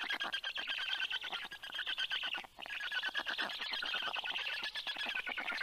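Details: Black stork chicks on the nest give a continuous hoarse, rasping growl in rapid pulses, swelling and briefly dipping, as the father arrives with fish for all, at 9:56 AM on 11 June 2022.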